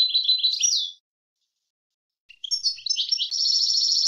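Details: European goldfinch song for training birds, clean and free of noise: a buzzy trilled phrase ends, a pause follows, then a new phrase of liquid twitters builds into a steady buzzing trill.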